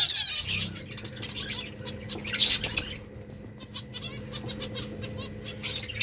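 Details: Rice-eating finches give scattered high, thin chirps and short tweeting bursts, loudest around the middle, with soft fluttering and a faint steady hum in the background.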